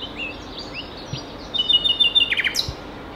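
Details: Common nightingale (Luscinia megarhynchos) singing on 27 April 2019, 11:20, at Ostravice, Ostrava, Czechia: faint distant whistles, then a loud phrase of a sustained high whistle and rapid pulsed notes ending in a sharp downslurred note.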